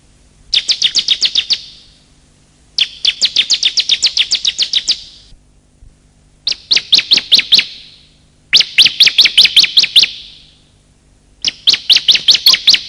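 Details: Calls of male and female bar-winged prinia for luring birds: five rapid trills of closely spaced, sharp chirps, each lasting one to two seconds, separated by short silences.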